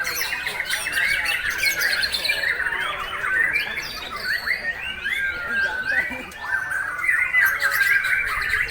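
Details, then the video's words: Caged breeding white-rumped shama singing without pause in the bowing style: a dense, continuous stream of rapid whistled and chattering phrases, sharp and varied, with no gaps between them. "MB GUENALI NEMBAK TANPA JEDA"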